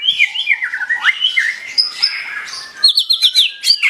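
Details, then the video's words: White-rumped shama singing energetically: clear whistled notes slurring up and down, then a sustained high whistle. A fast series of sharp, repeated high notes closes the phrase. "Duara burung mura gacor"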